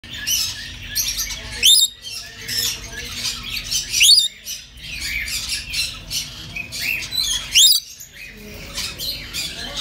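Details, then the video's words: Red lory (Eos bornea), a captive parrot in Azizya, Riyadh, Saudi Arabia, gives three sharp, rising screechy calls a couple of seconds apart over a constant hiss of busy background chatter. "Red Lory Parrot"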